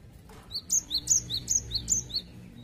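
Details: Actively singing gelatik batu, the cinereous tit, in its 'wucit wucit' song, used to draw out other birds' singing: a brisk run of about eight high, bright two-toned whistles alternating up and down.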